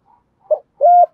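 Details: Spotted dove cooing in the 'thúc gù' style of the 'giọng thổ' voice: a brief low note, then one longer, steady, mellow coo.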